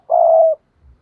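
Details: Spotted dove kept as a decoy to lure rival wild doves, giving a single drawn-out coo, low, even and smooth, lasting about half a second, with nothing else heard.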